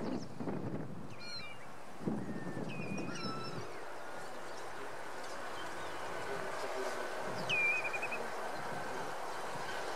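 Black-winged Stilt giving a few sharp, yelping notes that drop steeply and then level off, scattered over several seconds above a low rumble of wind and background noise.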